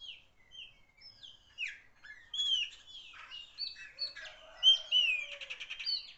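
Common blackbird song: a varied run of clear, fluty whistled phrases with sliding notes and thin squeaky twitters in between, delivered in quick succession.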